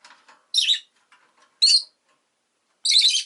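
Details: Rosy-faced lovebird, a caged pet, utters three harsh, high-pitched bursts about a second apart, with faint clicks and rustles in the pauses.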